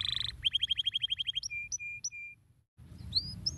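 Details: Canary song used to stimulate other birds to sing: a fast run of about a dozen rising chirps, then clipped whistled notes and a short pause before bright upswept whistles resume.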